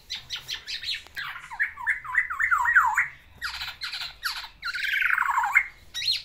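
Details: Caged black-naped oriole singing to a female: short rapid note clusters, then a series of looping downward slurs, followed by more scratchy bursts of chatter.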